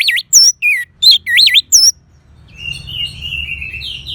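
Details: Orange-headed thrush giving six loud, rolling whistled notes that swoop up and down in fast succession, followed by a softer, drawn-out, slightly wavering whistle.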